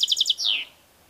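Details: Brief European goldfinch phrase: four quick, bright, evenly spaced tinkling notes followed by a longer buzzy note sliding downward.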